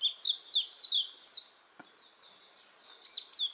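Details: Oriental white-eye song used as a master recording for training cage birds; quick series of high, thin, sweeping chirps and twitters, a rapid run of about five notes, a short pause, then softer twittering.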